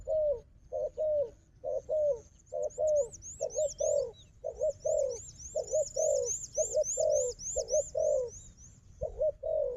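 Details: Repeated low double coos, nearly once a second, from a fighting wild dove and a decoy dove; a long run of bright, rapidly repeated high chirping whistles overlaps midway.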